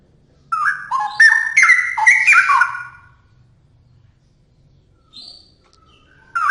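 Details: Straw-headed bulbul singing actively: a loud burst of rich, liquid whistled notes that step up and down in pitch for about two and a half seconds, then a pause, a short note and the start of a new phrase, over a faint low hum.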